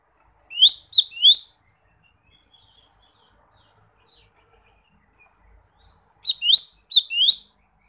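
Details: A leafbird in the wild, calling a rival, gives two bursts of rapid, high, sweeping chirps and trills, with a long quiet gap between them and faint softer notes in the pause.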